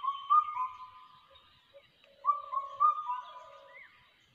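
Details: Crested hawk-eagle chick in ATR forest: two bursts of drawn-out whistled notes, each starting with a sharp rise and then held level before trailing off, with fainter lower whistles in between. The setting is otherwise quiet.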